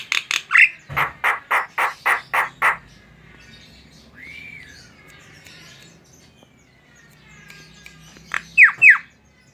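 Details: Gacor song of a Javan myna: a rhythmic row of rasping, broadband notes, a single smooth arched whistle after a quiet spell, then a few sharp descending squeaks close the phrase.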